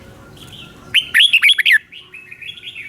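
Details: Red-whiskered bulbul song for training caged birds or trapping: a quick cluster of loud, clear whistled notes bending up and down, followed by softer trailing warbles over faint hiss.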